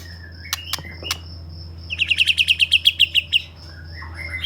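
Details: ['A white-rumped shama of the Medan type in vigorous song gives a few sharp clicks, then a steady run of about twelve bright, evenly repeated chirping notes, ending in a soft slurred whistle over a low hum.']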